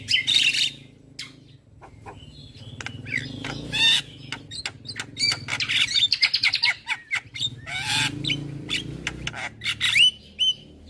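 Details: Black-winged starling, white-eyed form, in vigorous morning song meant to train other birds: squeaky whistles, buzzy rasps and rapid clicking notes, with a softer patch midway before loud chatter resumes.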